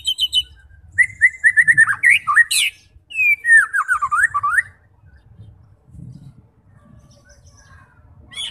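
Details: Shama song aimed at provoking fighting birds to sing: quick repeated whistled notes, a sharp upward sweep, then a flowing series of descending slurred whistles, fading into quiet background hum.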